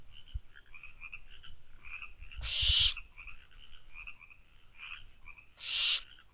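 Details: Nest-box barn owlets recorded at 12:24 am on 24 May 2023 give two loud, rasping hisses about three seconds apart. Soft high chirping and low rumbles fill the gaps.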